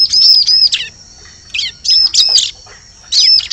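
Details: Bar-winged prinia lure call used for trapping in forest: bursts of very high, thin, looping whistled notes, two or three at a time, separated by short silent pauses, over a faint low hum.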